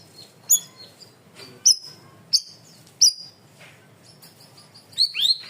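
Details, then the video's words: Cream-vented bulbul singing loud and clear in a bird-training recording: sharp high chirps with short level tails, spaced irregularly, ending in a pair of quick upslurred whistles. "MASTERAN BURUNG CUCAK RAWIS/BAYEMAN GACOR SUARA KERAS DAN JERNIH"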